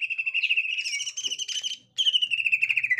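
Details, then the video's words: Green leafbird, gotri type, encountering a young wild bird of its kind: a long, steady, buzzy whistled trill, a brief break, then a second trill slowly falling in pitch. "Tingkah Cucak Ijo Gotri Saat Di Temukan Cucak Ijo Muda Hutan"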